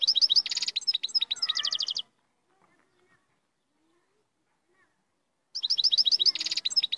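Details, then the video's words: Lively European goldfinch song of fast, high, jangling twitters and trills in two loud bursts separated by several seconds of near silence. "تغريد مقنين"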